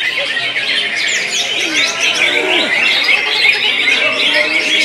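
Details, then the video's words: A greater green leafbird (cucak ijo) in high breeding condition, fed full crickets, sings a dense, rapid stream of bright chirps, whistles and squeaky trills; overlapping chatter suggests other birds nearby; owner thinks it sings less in cold weather. "Simak Cucak Ijo Wajib Birahi Tinggi Biar Kerja"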